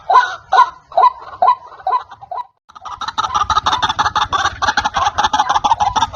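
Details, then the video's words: Trapping lure of a white-breasted waterhen: several separate grating, squeaky croaks fade away, a moment of silence follows, then a much denser, louder stream of harsh chattering notes takes over. "SUARA BURUNG RUAK RUAK PIKAT"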